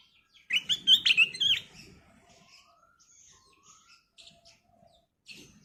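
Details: Sooty-headed bulbul (kutilang emas) singing vigorously in a lure recording: a jumbled cluster of warbling, fluted notes over a second, then faint scattered chirps.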